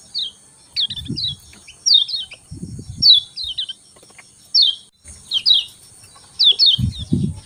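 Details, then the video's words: Morning calls of a Lemon-bellied white-eye: brief high downslurred chirps, often paired, repeated irregularly every second or so, with intermittent low thumping noises and a steady high-pitched hum throughout. "Kecial Kuning Pagi Hari Bikin Kecial Kuning Malas Bunyi Cepat Joss Gacor"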